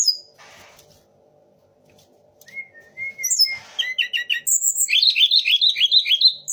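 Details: A quiet start with a faint rustle, then a Sunda laughingthrush breaks into song with imitations of magpie robin, shama and orange-headed thrush: flat whistles, chattering notes and a fast warbled run.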